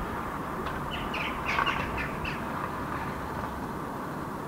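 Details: Several Eurasian jackdaws (Corvus monedula), gathered on a roof on an October 2015 evening in Helsinki, Finland, before flying to roost in adjacent park trees, give short, sharp 'chak' calls in a quick overlapping burst midway through, over steady traffic roar.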